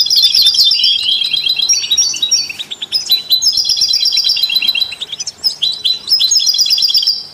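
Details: European goldfinch song recorded alongside canaries and mule hybrids, meant to stimulate other songbirds; rapid high twittering phrases of tinkling notes with brief buzzy trills, several birds overlapping in dense bursts separated by short pauses.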